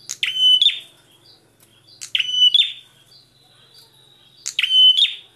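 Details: Bar-winged prinia (prenjak) pairs trading song: three loud, sharp bursts about two seconds apart, each a stack of clicking ticks leading into a flat, ringing whistle with a buzzy tail, in an otherwise quiet setting.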